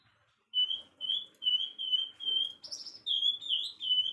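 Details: Bird singing in the afternoon: a run of short bright chirps on a steady high pitch, about one a second, ending with a few sharper, rising notes; quiet background.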